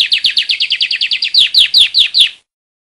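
A saffron finch sings a fast run of about a dozen sharp, bright chips, then slows into five louder, ringing slurred notes before stopping abruptly.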